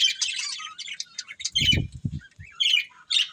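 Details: A breeding pair of pet budgerigars chattering steadily with busy, scratchy high warbles and chirps, while low knocking sounds come through in the middle.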